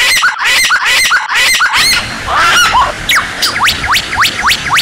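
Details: White-rumped shama in energetic master song used to train captive birds for contests: a fast run of repeated harmonic notes, then a pause and a series of sharp upslurred whistles, each rising steeply, about one per half second.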